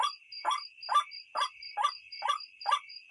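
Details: White-breasted waterhen call used as a night-time lure: hoarse croaking notes repeated about twice per second, each a short harsh burst, over a steady high buzzing tone and thin higher whistles.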